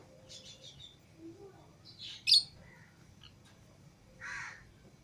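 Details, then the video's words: Pet lovebirds of Fischer's and lutino pairs loose indoors with other lovebirds; scattered short chirps, a sudden loud squawk, and a later rasping harsher note, separated by gaps of quiet. "Love Birds Singing And Chirping Sounds"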